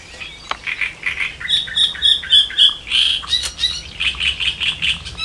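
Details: Elbe river great reed warbler singing steadily: a rapid string of coarse, chattering syllables, some drawn into short whistled phrases, repeated about three to four times a second without pause.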